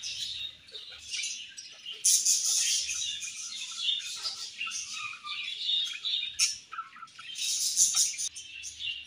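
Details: Budgerigar colony chirping while eating: dense overlapping high chirps and warbling chatter from many birds, with louder bursts around two and eight seconds.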